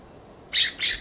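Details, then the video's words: Two loud, harsh rasping notes from a California scrub jay scolding from a plum tree in a backyard, each squawk broad and grating, given in quick succession. "California Scrub Jay’s loud Call"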